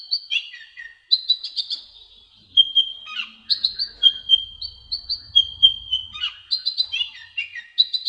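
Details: Sunbird singing: bright, high chirps and short whistled notes in quick succession, with several held pure whistles between bursts of twittering and soft low rumbles in the background.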